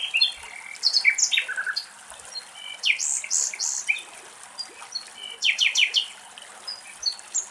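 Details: Common nightingales in Greece, recorded at very close range, sing varied phrases of rich whistles, rapid chirps and repeated liquid notes, with short pauses between bursts; other small birds chirp faintly behind.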